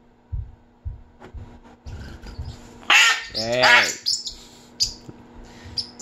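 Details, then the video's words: Caged pet umbrella cockatoo mimicking stomach noises: a loud, raspy screech with a wavering, harmonic tone after soft thumps and a brief word from a man indoors. "Daddy's stomach making noise"Hiiii" my funny umbrella cockatoo"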